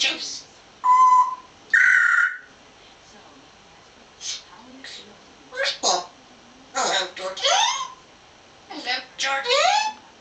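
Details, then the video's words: African grey parrot talking, chatting with its owner, 2009: short speech-like bursts and words such as hello, with clear tonal whistled notes near the start, then several separate chattering syllables spaced over the remaining seconds. "Talking Parrot African Grey"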